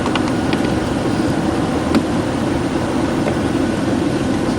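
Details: Steady loud vehicle engine drone with a few faint clicks and no animal voices.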